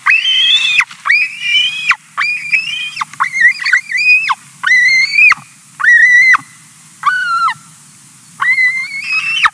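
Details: White-tailed eagle chick in Latvia, 18 July 2020, begging while its mother finishes eating a fish: loud, harmonic whining cries, some rising, others wavering or dipping, repeated about once a second with short pauses.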